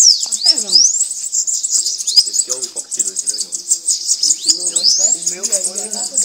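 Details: Bananaquit (sibite, cambacica) singing at a song contest: high, thin, sizzling song with quick sweeping whistles rising and falling and buzzy trills, repeated in short phrases; men talk quietly in the background.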